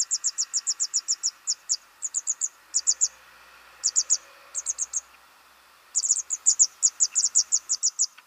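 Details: Nestling birds being fed, giving rapid bursts of thin, high, ticking begging notes in runs of three to ten, with short pauses between runs and a faint hum underneath.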